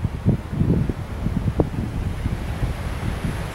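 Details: Gusty wind buffets the microphone with low thumps and rumbling, and no animal sound is heard.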